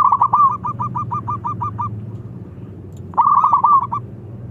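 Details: Zebra dove of a local strain, calling energetically to challenge rivals: a long run of about a dozen quick, evenly spaced clipped coos, then a second burst starting with a rolling trill, steady low rumble behind.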